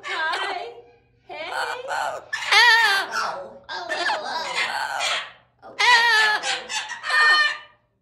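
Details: Pair of bonded Amazon parrots in a sanctuary calling out to caregivers and visitors, a run of loud, harsh, wavering yells and squawks in five or six bursts with brief gaps, indoor setting.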